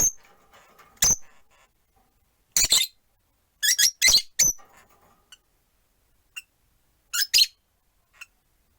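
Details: Indoor rosy-faced lovebirds, four caged by a window, giving scattered sharp chirps and short harsh bursts, with quiet gaps and faint background noise between.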